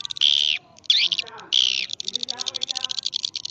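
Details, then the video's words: Swiftlet call in the karindanga, liris and gondes styles: three loud, high, squeaky buzzing chirps, then a long run of fast, quieter, regular ticks. "sp walet karindanga. liris terbaru. gondes suara walet"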